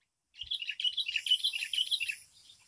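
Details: Wild sooty-headed bulbul reacting to a caged lure bird, giving a continuous excited chatter of scratchy, jumbled chirps and squeaky notes, fast and uneven, fading near the end.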